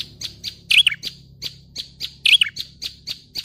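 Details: A prinia, a lure recording for trapping prinias, gives rapid, high, thin chirps about four times a second, broken twice by louder, scratchy, tumbling notes.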